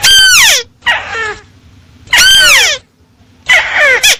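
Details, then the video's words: Lure recording of a crake for bird trapping, with four loud harsh bursts, each a rasping downward-sliding squawk, separated by brief pauses. "suara pikat burung tikusan jernih"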